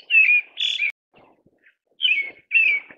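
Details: Pale thrush calling with pairs of harsh, downslurred whistled notes, the pairs about a second and a half apart, with faint soft rustling in between.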